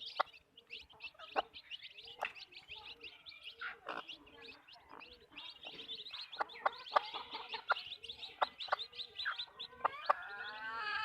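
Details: Backyard chicken farm flock, hens clucking in short repeated notes, with a busy chorus of other bird chirps and occasional sharp clicks throughout.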